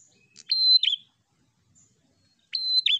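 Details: Two loud prinia phrases two seconds apart, used to provoke rival birds. Each opens with a click, holds a flat shrill whistle, then drops in a brief slurred flick.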